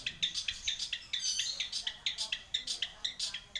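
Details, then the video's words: Long-tailed shrike in lively song, a fast run of short chattering notes repeated about twice a second, bright and high, with a faint background hum. "Burung Cendet Nggacor"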